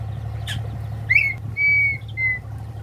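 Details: Red-winged tinamou, a large grassland tinamou of Brazil: a short rising whistle, then a long, steady, pure whistled note and a shorter falling one, over a constant low engine hum.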